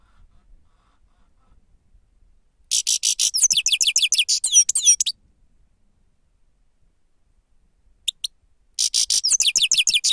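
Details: Grey-crowned goldfinch song for luring: a sustained two-second stream of rapid tinkling and buzzy twitters with falling whistles. After a pause come two short call notes, then a further fast, jangling phrase.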